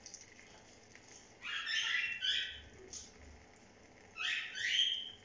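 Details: Pet cockatiels on a bathing day: two harsh, grating screeches with stacked bands, each lasting about a second, separated by a pause of roughly two seconds, over quiet background hiss.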